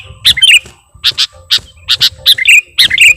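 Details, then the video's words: Energetic lure song of a sooty-headed bulbul, rich in copied phrases. Short clusters of sharp high chirps and quick slurred notes repeat roughly twice a second against a low background rumble. "KUTILANG PIKAT || BURUNG LEGEND FULL ISIAN DAN GACOR"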